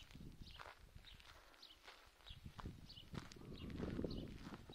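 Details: Wild greylag goose goslings, newly hatched and watched over by adults, walking toward the water at Lake Neusiedl; many short, high descending peeps overlap one another above soft waddling steps and rustling.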